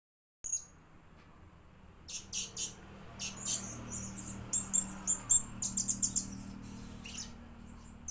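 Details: Blue-crowned hanging parrot kept as a lure bird, singing thin, very high sharp notes and short buzzy bursts, at first scattered, then coming quickly in clusters over steady low background hum.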